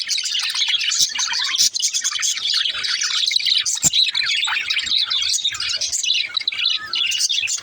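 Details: Baby budgerigar singing: a dense, continuous stream of high chirps, twitters and warbles without pause, with a brief louder click near the four-second mark.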